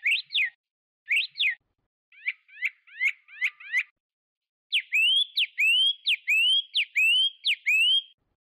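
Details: Song of a Chinese hwamei, opening with sharp falling double whistles, then quick upslurred notes, then a long run of bright swooping whistles repeated about twice per second.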